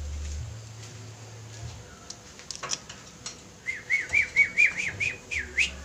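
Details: Javan myna flock in active song for bird-training use: faint scattered clicks and rasps, then a quick run of about eight clear, rising whistled notes near the end.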